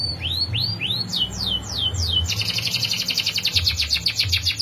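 A canary sings a few rising whistled slurs, then falling notes, before breaking into a fast, bright, sustained rolling trill; a low hum runs underneath.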